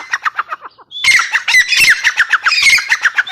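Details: Female grey francolin producing rapid harsh squawking notes, briefly pausing, then resuming louder with a thin whistle and a dense run of grating clucks.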